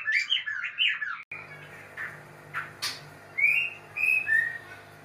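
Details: White-rumped shama during mating: quick twittering warbles, a brief cut, then scattered sharp notes and three clear, drawn-out whistles, over low hum.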